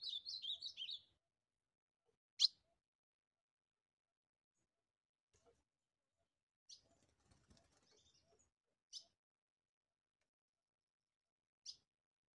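An ultramarine grosbeak gives one quick, warbled high phrase lasting about a second, then a few sharp, isolated chips spaced several seconds apart in near silence.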